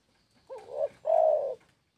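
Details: Spotted dove song phrase in clear quiet surroundings: a trembling two-part opening coo, then a longer, rich, level coo that fades out smoothly.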